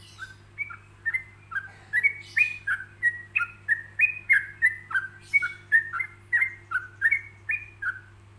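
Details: Yellow-vented bulbul singing in a paced, pausing tutor recording for other bulbuls to imitate. A long, even run of liquid, warbling two-note phrases follows at a quick, steady pulse. A faint low hum sits underneath.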